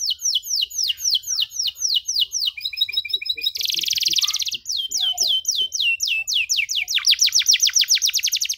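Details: Canary song in a long, luxurious cengkok style, used to train young canaries: repeated high slurred notes interrupted by a harsh buzzy passage, then resuming as a fast, dense trill.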